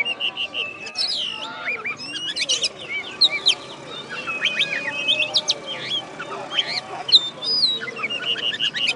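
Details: Oriental magpie-robin (kacer), a first-place songbird contest winner from West Kalimantan, Indonesia, described as master-tutored, sings a dense run of sharp whistles, upswept chirps and trills overlapping one another, with a steady low hum beneath.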